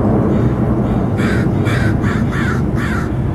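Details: Crows gathering as a large murder of about a hundred birds around 3pm beside a riverside construction site on the Duwamish, Southpark, King County; five harsh, rasping caws follow about every half second over a steady low rumble of wind or traffic.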